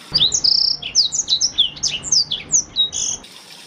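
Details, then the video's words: A Blackthroat sings high, piercing whistles and quick downward-slurred chips, closing with a short buzzy double note, as a lure and master song for canaries. "BLACKSTROOT untuk pancingan atau masteran burung kenari"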